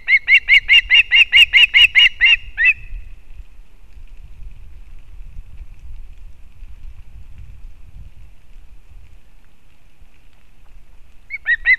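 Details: Osprey female arriving with fish for a chick at a nest in Kurzeme, Latvia, recorded by a live nest camera in August 2024: a quick series of shrill chirps, about five per second, fading after nearly three seconds, followed by quiet rumble and a final short call.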